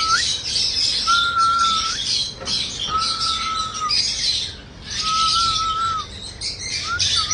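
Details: Pet cockatiel singing: long, level whistled notes, each about a second long, repeated about every two seconds over a steady backdrop of high, busy chirping.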